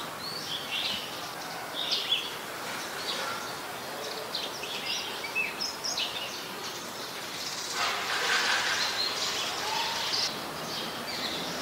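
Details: Scarlet-backed flowerpecker recorded in Ubon Ratchathani, Thailand, on 7 February 2020 with a Nikon P1000: short, high, sharp chip notes repeated irregularly over a steady hiss of background noise.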